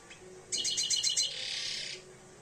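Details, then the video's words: European goldfinch aged two, just coming into breeding condition, delivering one bright burst of rapid, high chattering notes that blur into a buzzy trill, with faint background murmur. "jilguero empezando a encelarse"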